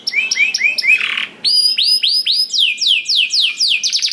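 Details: Singing canary, played to encourage other canaries to join in: clear whistled downslurred notes repeated in series, a short buzzy burst, then louder sweeping whistles ending in a rapid trill.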